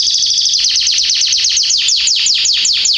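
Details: In a garden in September 2020, a canary delivers a continuous loud trill of quick descending notes, about six per second, slowing slightly toward the end.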